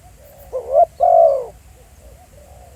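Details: A decoy spotted dove in the field gives one soft cooing phrase, a brief rising note and then a long, gently falling coo, followed by faint low murmurs.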